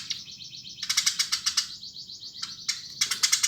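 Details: Brisk Eurasian tree sparrow chirping: a long run of fast, harsh, evenly spaced chirps over a steady buzzy tone, a short pause, then two more quick chirp bursts.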